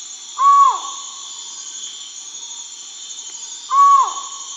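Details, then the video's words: Collared forest-falcon calling twice, each a loud, short, hollow note that falls at the end, separated by roughly three seconds, over a constant high-pitched insect hum. "Collared Forest-Falcon"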